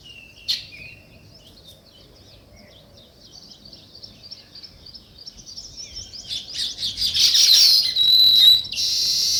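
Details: Sparrows chirping naturally: a few thin high chirps at first, then from about six seconds a dense, loud flock chorus of overlapping rapid chirps and short trills.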